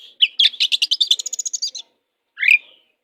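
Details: Kacer, the oriental magpie-robin, used as a master bird for training songbirds, delivers a rapid run of about a dozen buzzy repeated chattering notes, then a single rising whistle after a pause.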